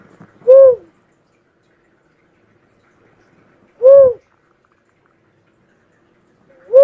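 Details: Cuckoo-dove calling: a single low, rounded, hooting note that rises and falls, repeated about every three seconds, three notes in all against a quiet background.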